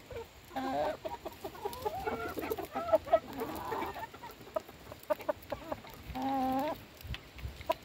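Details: Several hens being fed by their keeper give overlapping clucks and drawn-out harmonic calls, with sharp clicks of pecking between them and a longer, steady call near the end.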